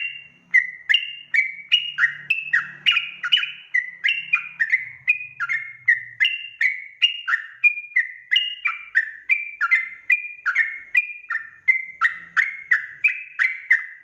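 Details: Sooty-headed bulbul lure song in the rapid 'ropel' style, intended to make other bulbuls reply immediately; a long unbroken chain of quick whistled notes wavering up and down, with a faint low hum at times.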